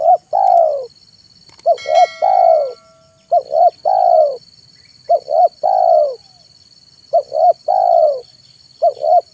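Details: Spotted dove (tekukur), a decoy bird cooing in the afternoon to lure wild doves: three-part phrases of two short hoarse notes then a long, falling coo, repeated about every two seconds, with a faint steady high hum and a click.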